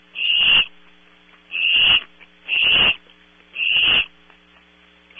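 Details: Owlets of barn owl at night, Audubon Starr Ranch, California, on a close-up PTZ camera: rasping hisses about every 1.2 seconds, four full bursts and a fifth starting, with a low mains hum beneath.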